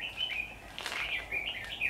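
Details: Red-whiskered bulbuls at a trapping site on 13 October 2019, the 'Mí lửa' decoy singing fighting song; rapid, overlapping high chirps and short warbled notes run continuously, sounding like more than one bird.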